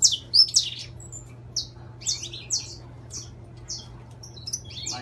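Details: An intense-yellow saffron finch sings loose, spaced high chips and short downslurred notes, a few tight clusters at the start, then isolated chirps every half second or so.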